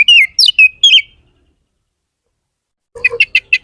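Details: Oriental magpie-robin singing energetically: loud clear whistled phrases, some sliding down, in a quick burst lasting about one second, then silence, then a short series of sharp high chirps with a lower note beneath.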